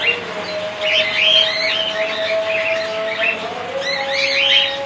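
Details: Cockatiels in a colony, 2019: loud overlapping chirps and warbling trills in bursts, with a steady mechanical hum underneath throughout.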